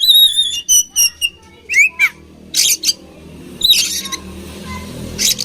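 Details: Fighting oriental magpie-robin singing: opens with a sustained level whistle, then short chirps and slurred notes, followed by broad hissing bursts over background noise.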